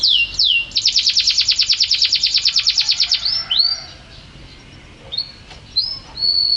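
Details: Canary in vigorous song: a quick falling whistle, a long fast pulsing roll, then a few clear level whistles separated by short pauses.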